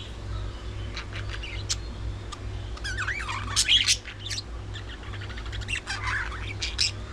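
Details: Budgerigars at early morning feeding time, flock warbling with wavering whistled notes, squawks and sharp clicks, busiest in the middle, over a faint steady hum.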